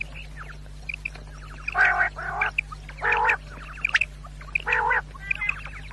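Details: Quail sounding for hunters: grating, nasal calls in pairs and singles, separated by faint high chirps, against a steady low background hum.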